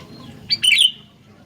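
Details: Sooty-headed bulbul giving a single short bubbling phrase: a quick note followed by a tumbling warble, against a murmuring low background.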